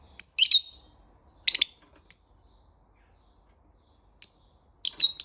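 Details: Lovebird calling in the morning with piercing, high chirps, a short rapid cluster, double and single squeaky notes, a pause of two seconds, then another scratchy burst.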